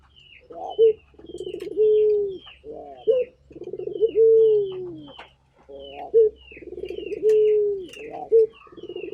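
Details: Turtle dove, a local Indonesian puter bird calling vigorously: low coos, each a rapid stuttering roll swelling into a long smooth falling note with a short upturned flick, repeated in a steady cycle, with faint thin chirps above.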